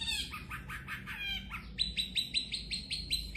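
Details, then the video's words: Long-tailed shrike prized for its voice: a scratchy rising trill of rough notes, then a clear, evenly spaced series of sharp whistled pips, about eight in under two seconds. "Burung cendet juara"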